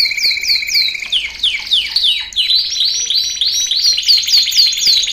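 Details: Belgian canary (Serinus canaria domestica), training song: training song for young male canaries to learn.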